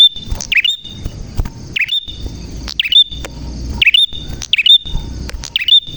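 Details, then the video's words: Prinia singing actively with a clear voice: sharp chirps that dip and then rise, given in pairs roughly once a second over a steady high thin tone, with a soft low rumble underneath. "Burung Prenjak Gacor Suara JERNIH"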